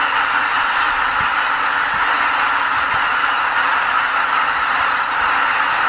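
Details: Before dawn at the Ramsar-listed Lake Miyajimanuma, Hokkaido, around 80,000 greater white-fronted geese stopping over on their way north leave the roost together; a seamless roar of honking calls with a few soft low knocks.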